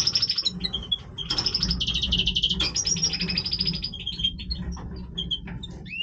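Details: Singing European goldfinch in breeding condition, a long continuous run of bright twittering notes and rapid rattling trills, high and metallic, with short whistled slurs; faint low background hum.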